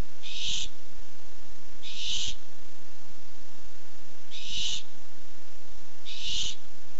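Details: Barn owl at a nest camera on 8-7-15, coming by while looking for food; four harsh, hissing screeches, each about half a second long, spaced roughly two seconds apart, over a low steady background hum.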